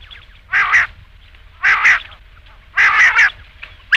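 Rain quail giving loud, husky double-noted calls, a paired 'which-which', about once a second against a quiet background.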